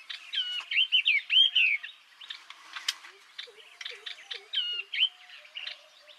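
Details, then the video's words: Loud, ringing warble of a yellow-eyed babbler, a resident of bamboo thickets and scrub in Vietnam: rapid twittering runs of slurred whistled notes in two main bursts, with faint lower chirps from another bird in between. "Tiếng hót Họa Mi Mắt Vàng. นกกินแมลงตาเหลือง"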